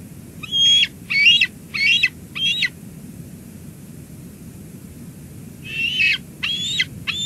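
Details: Bald eagles calling around a lunch delivery to the eaglet at a Two Harbors nest, summer 2022. Two bursts of four and three shrill, squealing notes, rising slightly and spaced under a second apart, with a quiet gap between the bursts.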